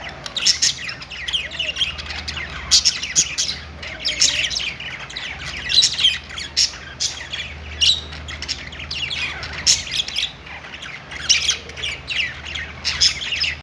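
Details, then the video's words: Budgies chirping on a perch in a pet store: many overlapping short, scratchy chirps and squawky twitters from several birds. They come in uneven bursts with a constant low mechanical hum beneath. "budgies singing on perch | parakeet chirping sounds in pet store"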